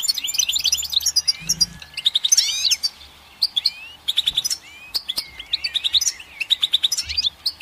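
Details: Goldfinch song: rapid bright twittering with liquid rising and falling notes and short buzzy trills, in a string of quick phrases. Brief gaps separate the bursts, and faint low rustling sits underneath.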